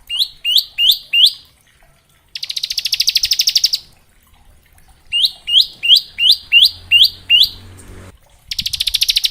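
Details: Bar-winged prinia varied song for tutoring juvenile prinias: series of sharp rising upslurred notes alternating with rapid high buzzy trills, about four to eight upslurs per series.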